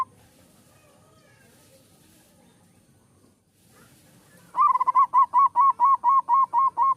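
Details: Champion zebra dove (perkutut) giving its manggung competition song: after quiet, a rapid rhythmic series of about twelve identical hooting coos, evenly spaced at roughly two per second.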